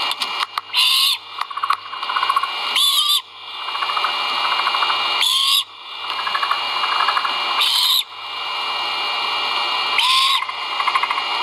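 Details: Great horned owl chicks at the nest while being fed, live camera at Skidaway: five raspy, hissing screeches, each with a slight upward-then-down tonal sweep, repeated every two to three seconds over continuous static.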